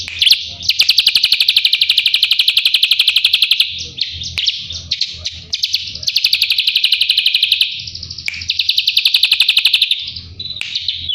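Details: Drongo song recorded for training a white-rumped shama: repeated bursts of fast, even, buzzy trilling, each a few seconds long, separated by short breaks with brief mixed notes.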